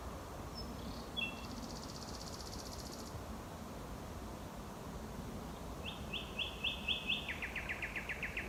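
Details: Male Common Nightingale singing in full swing around eleven at night from dense thickets and hedgerows on a rewilded former farm in West Sussex, May, proclaiming territory: a high buzzy trill, a pause, then rapid repeated piping notes followed by a fast rattling series, over low rumbling background.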